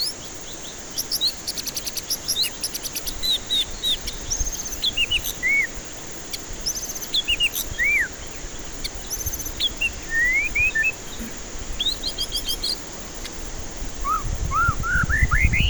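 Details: Extended white-rumped shama song as a lure to get stressed birds singing: varied clear whistles, rapid high trills and upward-sweeping notes, ending in a string of short rising whistles over faint low rumbling.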